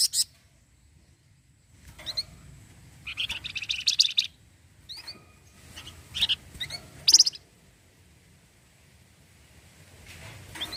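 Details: Orange-headed thrush singing busily in the rapid 'cretetan' chattering style said to make other birds answer: a dense, buzzy burst of high notes around four seconds, then scattered short chirps and a sharp trill near seven seconds, with quiet gaps between.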